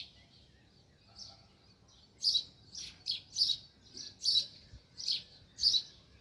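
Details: Sparrow near its nest in a village: quiet at first, then a run of sharp high chirps, about one or two a second, steady and loud over a faint background.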